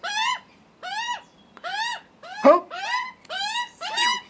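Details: Hungry juvenile Australian magpies screaming for food on their first visit, with a nervous adult male nearby: loud harsh arched calls stacked with harmonics, repeated seven times at roughly half-second gaps.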